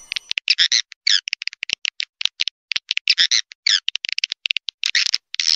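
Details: Swiftlet lure recording meant to draw the birds in: bursts of rapid, rattling chirps in uneven clusters, separated by sharp clicks and short silences, with no background noise.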